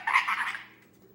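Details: Young male Indian ringneck parakeet, a 10-month-old pet amusing himself indoors, makes a short, rough, warbling chatter of about half a second that trails off quickly.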